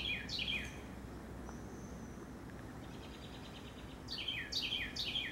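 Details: A Carolina wren outside a home in Upstate New York sings loud, rolling phrases, each a quick pair of slurred whistled notes repeated rapidly, with a pause mid-song and a steady background hum.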